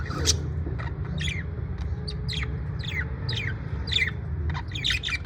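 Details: Happy parrot in the USA repeating short, high, downward-sliding chirps roughly every half second, about eight in a row, after an opening squawk; low hum beneath.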